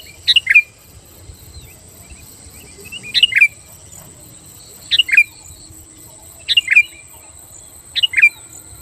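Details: Sooty-headed bulbul song aimed at stirring rival bulbuls to answer: five brief, sharp two-note phrases, falling and slightly buzzy, repeated roughly every one and a half seconds over a quiet background.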